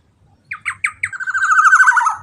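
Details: Black-naped oriole, known locally as kepodang emas, in a vigorous lure recording: three separate rasping notes lead into a long, quick, buzzy chatter that gradually lowers in pitch; faint background murmur.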